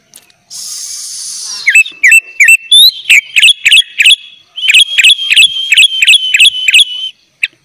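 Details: Tutor song of a lively sooty-headed bulbul full of filler phrases: a brief hiss, then rising and dipping whistled notes repeated about three times a second in a steady, bright series.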